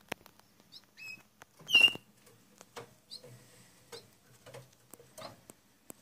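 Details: Gloster canary chicks, eight days old: one sharp, high chirp just before the two-second mark stands out over a few faint, thin peeps, with scratchy rustling and clicking throughout.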